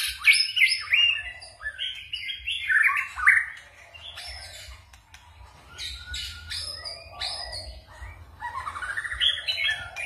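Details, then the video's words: White-rumped shama giving forest-style varied song: rapid strings of rich whistles and sweeping slurs, a quieter stretch in the middle, then rising whistled phrases; faint low rumble in background. "chòe lửa hót giọng rừng ,đảo giọng cực phê"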